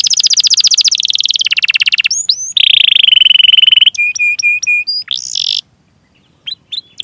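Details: Canary song used as a recording to lure other canaries into singing: long rolled trills of rapid high notes, a buzzy sustained note, then a quick series of clear repeated whistles and sweeping chirps.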